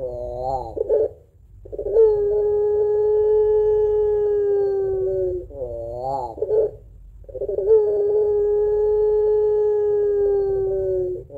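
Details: Actively singing pelung Barbary dove giving the long crying song, a two-note coo for luring other doves: shaky, warbling phrases alternate with long, steady, plaintive tones, three cycles within eleven seconds.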